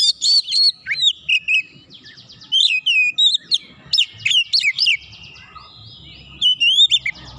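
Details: Oriental magpie-robin provoked by a rival bird, heated and pouring out its varied repertoire: rapid strings of sharp whistles, downslurred notes and buzzy rattles, with a pause near the middle before the phrases resume.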